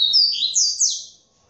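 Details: Double-collared seedeater (coleiro), a Polish-style singing male from a breeding aviary, giving a brief clean phrase of high whistled slurred notes, sweeping down then rising sharply, with a quiet background.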